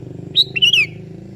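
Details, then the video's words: Sooty-headed bulbul (kutilang kebo) calling a rival, which answers: a short, loud phrase of two clear whistled notes, the second sliding downward, over a low droning hum. "Suara Merdu Burung Kutilang KEBO Gacor Memanggil Lawan Ikutan Bunyi."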